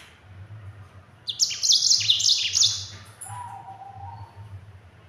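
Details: Yellow-fronted canary in a speedy, dense rolling song meant for tutoring other birds: about two seconds of high trilled bursts and down-slurred notes, then a softer lower tail, with a steady low hum.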